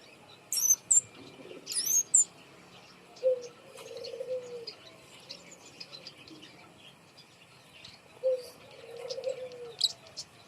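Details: Kemade bird hung up high to coax birds that are reluctant to sing. Two sharp high chirp bursts, then soft, low, drawn-out whistles twice, fairly quiet overall.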